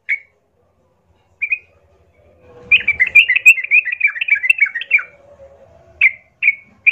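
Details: Yellow-vented bulbul fighting lure in 'gacor plong' style: isolated sharp chirps, then a two-second run of rapid tumbling notes, then more single chirps, with faint low noise in between.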